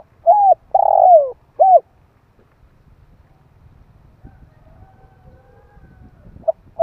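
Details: Spotted dove calling to excite decoy birds: three low coos, the middle one long and falling, then near silence with faint background hum before a soft new note starts at the end.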